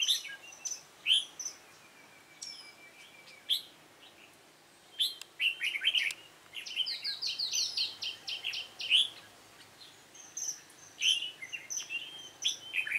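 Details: Red-whiskered bulbul, yếm đậm type, during trapping with a decoy bird, recorded 28 February 2017: bright, varied chirps and short warbled phrases scattered through the clip, with a thin steady whistle and several other birds calling.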